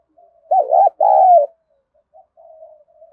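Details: A spotted dove calls during decoy training in the gù and gáy style: one loud, quavering hoot and a longer, smoother second hoot, then quiet, low, trailing coos.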